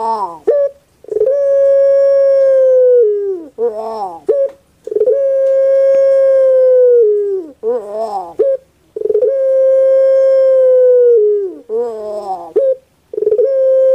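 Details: Puter pelung dove, a kept dove breed well known in Indonesia, especially Java, singing its soft song: long sustained hollow coos of about two seconds alternate with quick wavering, gurgling broken notes, repeated roughly every four seconds.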